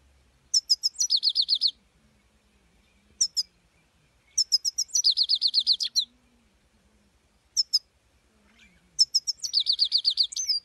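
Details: 'Full start' song of a European goldfinch: bursts of high, quick, downslurred notes repeated in even runs, broken by short two-note chirps and pauses, with four main runs spread across the stretch and a faint low hum behind.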